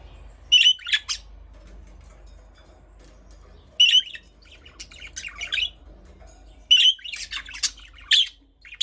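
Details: Budgerigar calling in three bursts of bright, twittering chirps roughly three seconds apart, each burst a quick tumble of squeaky notes, against near silence.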